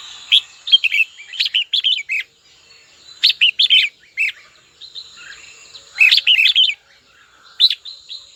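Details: Red-whiskered bulbul kept as a cage bird, calling to a rival: lively phrases of fast, slurred, whistled notes in repeated bursts, with brief gaps and a faint constant high hum in the background.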